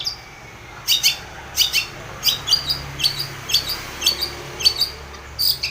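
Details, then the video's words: Long-tailed shrike calling to provoke an opponent, a steady series of bright, clipped high chirps, roughly two per second, each with a sharp scratchy edge. "SUARA cendet gacor MEMANGGIL LAWAN pancingan cendet agar bunyi EMOSI seketika"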